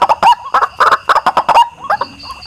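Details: A white-breasted waterhen gives loud, rough croaks in quick bursts, then a few softer upslurred notes, in a recording used to attract birds.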